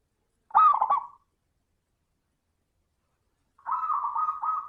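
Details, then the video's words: Crystal-voiced zebra dove lure song: one short bubbling, rolling coo phrase, a long silence, then a drawn-out trilled coo sustained to the end. "Pancingan suara burung perkutut - suara kristal"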